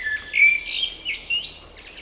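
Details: Birdsong in spring: a brief burst of bright whistled and warbling notes, one strong slurred phrase followed by quicker, higher twittering.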